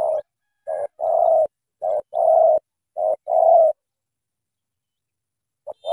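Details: Spotted dove from Cà Mau, Vietnam, singing in the thổ tơ style. A short note, then a long, low, level coo, repeated in four pairs about a second apart. A pause follows, then a fresh phrase begins. The background is quiet.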